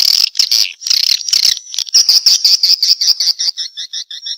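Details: Swiftlets giving response calls: dense bursts of high, buzzy twittering that break into separate sharp chirps, repeated about three times a second and growing more spaced toward the end.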